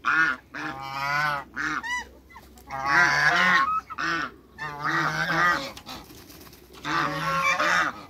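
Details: Two male and one female African geese kept in a backyard give loud, harsh honks in irregular bursts, with nasal rising-falling notes overlapping through most of the recording.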